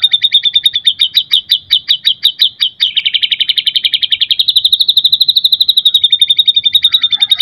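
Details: White-rumped shama song in the gacor full isian style, packed with imitated phrases and used as a lure and tutor to make other shamas sing: fast repeated high chips run into a long rattling trill, then a steady buzzy trill.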